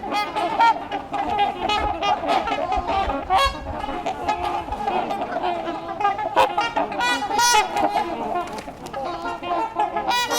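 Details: A flock of wintering trumpeter swans, many tagged from a reintroduction program and curious, at LaSalle Park, Burlington, Ontario, in March 2021, honk continuously: many nasal, horn-like calls overlapping into a dense clamor, with a faint voice and possibly music underneath.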